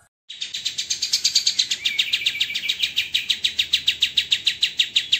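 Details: White-rumped shama master recording for songbird training, dense and harsh: an unbroken high, buzzy rattle of quick pulses with a thin whistled line woven through, pulsing regularly about three or four times a second.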